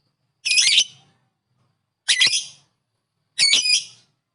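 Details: Lovebird giving ngekek calls that are said to make other lovebirds agitated: three loud, harsh, buzzy squawks, each about half a second, spaced one to two seconds apart, in otherwise quiet surroundings.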